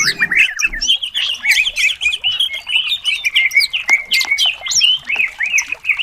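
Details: Contest greater green leafbird singing a full varied song meant to rouse competing birds: rapid rising and falling whistled phrases and sharp chips run together without pause, bright and high-pitched throughout.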